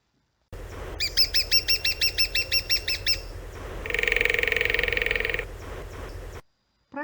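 A woodpecker gives a quick series of about a dozen sharp, ringing notes. A harsh, buzzy, drawn-out note follows, with a steady low hiss behind.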